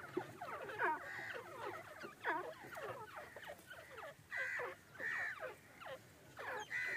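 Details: Milky-white grey francolin from Bhakkar, Punjab, Pakistan: a rapid series of overlapping descending and arching whistled notes, joined later by clearer ringing rising-falling phrases repeated about once a second, with faint background noise.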